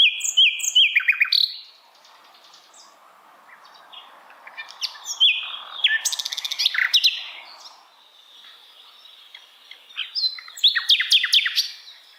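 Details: Asian brown flycatcher (sikatan londo) song used to tutor songbirds: bursts of high falling whistles and rapid chattering phrases separated by quieter pauses, with a vigorous twittered ending.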